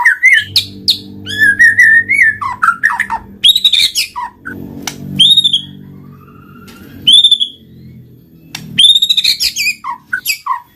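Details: White-rumped shama lure song: varied whistled phrases and sharp notes in bursts, clear rising whistles repeated at intervals, over a low steady hum.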